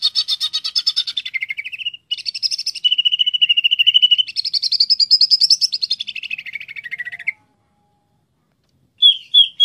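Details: Greater green leafbird song: a dense run of rapid buzzy trills and chattering notes, with a long level trilled stretch, sliding down near the end before a pause and a brief closing burst. No other sounds.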